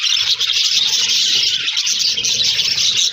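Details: Colony of budgies in an aviary making a steady wall of high, twittering chirps and warbles, with no pauses and many birds calling together.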